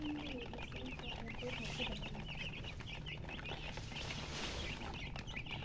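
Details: Many colourful baby chickens (murgi chicks) chirping from thirst for drinking water: dense, overlapping high peeping notes, each a short downward-bending chirp, packed continuously throughout, over a steady low hum.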